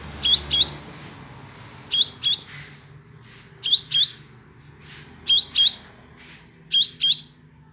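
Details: Hill blue flycatcher song: high, sharp whistled phrases, each a quick pair of notes, repeated about every one and a half seconds in a steady pattern, with a faint low background hum.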